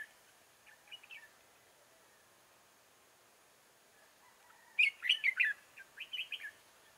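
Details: Red-whiskered bulbul at a trapping site in Chương Mỹ, 7 October 2018: faint scattered chirps, a quiet pause, then a loud run of rapid, rolling whistled notes followed by several shorter chirpy phrases.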